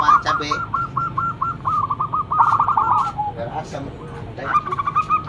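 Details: Loud local zebra dove kept as a lure: a run of evenly spaced bubbling coos, then rolling stuttered notes, broken by clicks and background noise before a final short burst.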